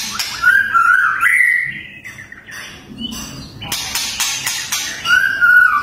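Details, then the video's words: White-rumped shama (murai batu) singing tembakan, a fierce song style: a rising rippling whistled phrase, a pause, several harsh staccato bursts, then a final wavering whistle. "MURAI BATU TEMBAKAN TERGANAS"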